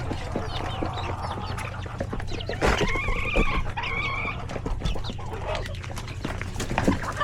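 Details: Feeding time in a coop with chickens, roosters and chicks; rapid clucks and peeps with a louder wavering squawk in the middle, low mechanical hum behind.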